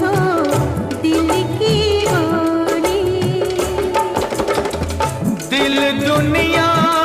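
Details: Bollywood-style music with a singing voice over tabla and percussion, steady and loud throughout, with no animal calls heard.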